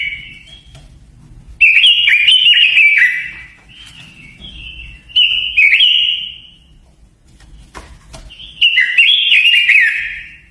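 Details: Japanese white-eye singing a lure song meant to provoke wild birds. Several high, quick warbling phrases of tumbling whistled notes are separated by quiet gaps, with a sharp click near the middle.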